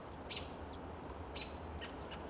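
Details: American robin perched on a Coast Live Oak at dusk in Del Monte Forest, California, March 2024, giving contact calls: two thin sharp very high notes about a second apart, fainter high chips between, over a low steady hum.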